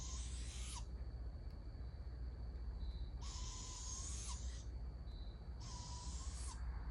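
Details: Young barred owls being fed by an adult give three harsh, hissing screeches, each about a second long and a few seconds apart, over a steady low rumble.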